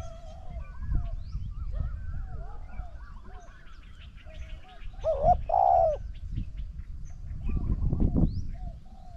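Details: Mid-contest between a decoy spotted dove and a wild one: one clear phrase of a quick doubled note into a long vibrating coo, surrounded by chattering background birds and bursts of low rumble.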